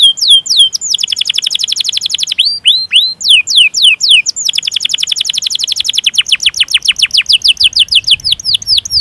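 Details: Long-rolling canary song with emotional chirps, played to train other canaries: looping whistled notes followed by extended fast rolls of descending high chirps lasting several seconds.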